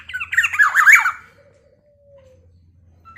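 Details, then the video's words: Black-naped oriole sounding off in a way said to stir up other orioles: about a second of dense, grating, nasal squawks, followed by a faint, long, low whistle and near silence. "Kepodang emas gacor|SuaraNya bikin emosi burung kepodang lainNya.."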